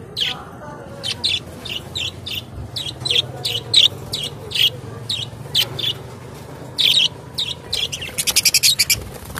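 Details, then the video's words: Budgerigars chirp steadily in short scratchy notes about every third of a second, ending in a fast rattling run of rapid pulses. "Australia Buggies parrot beautiful moment and sounds"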